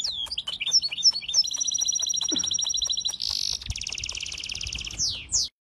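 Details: Birds singing in a lively mix of sweeping high whistles, a long steady buzzy trill and fast chattering notes, ending with a downward slurred whistle.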